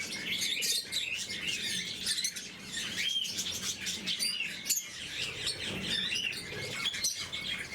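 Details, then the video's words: Blue-mutation lovebirds feeding in the morning make a steady, high-pitched twittering, sharp chirps layered over one another with a few clear whistled notes, plus a soft low rustle in the background. "Попуги неразлучники, утреннее кормление"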